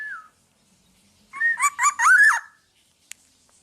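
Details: Black-naped oriole in active song for teaching other birds: a brief falling whistle, a pause, then a rapid run of three or four rich fluted notes ending in a rising-then-falling slur, with a faint click after.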